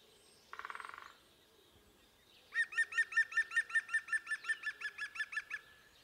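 A European green woodpecker gives its loud laughing call, a quick run of ringing, evenly spaced notes.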